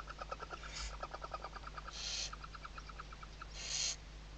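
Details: Western barn owl at Riet Vell reserve in Spain's Ebro Delta, Tarragona, morning webcam footage, 2023: a quick run of dry ticking pulses followed by two harsh breathy hisses spaced about two seconds apart, over constant hum.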